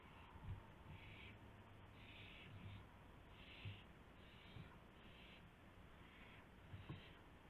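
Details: Owl at its nest at 1:00 AM on 24 March 2016, where a gopher is brought in as prey; faint, harsh hissing bursts repeat about every second over a steady low hum.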